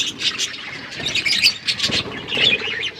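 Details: Several budgies eating food, giving a dense stream of high, warbling chirps and short squawky notes that overlap almost continuously, with faint rustling underneath.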